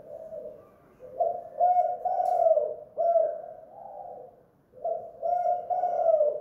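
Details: Spotted dove, known locally as tekukur or derkuku, calling busily at home in the kuk / guk gantung lure style. Mellow, throaty coo phrases repeat roughly every two seconds with short breaks between.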